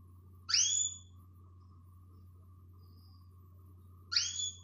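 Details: A female canary's call meant to rouse males: two sharp, high, upward-swooping whistled notes separated by a long pause of over three seconds, a faint low hum in the background.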